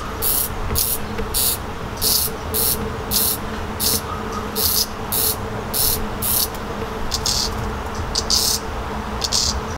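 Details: Fledgling redstart fed by its parents. Harsh, hissing high bursts repeat in a fast, uneven series roughly every half second against a constant low-pitched drone.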